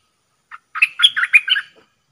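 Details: Decoy Dok taeng bird luring wild birds gives a soft opening chirp, then a rapid tumbling phrase of about six squeaky, chattering notes lasting about a second.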